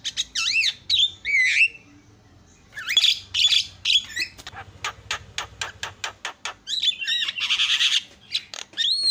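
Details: Asian pied starling in lively song used to provoke other starlings: looping whistled slurs, a burst of clicks, a fast run of dry ticking notes, then a rough buzzy squawk and more whistles.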